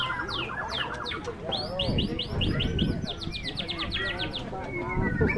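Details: White-rumped shama singing at a bird singing contest in strong wind: a rapid run of high, sharply rising whistled notes repeated many times, with other birds, crowd noise and a low windy rumble underneath.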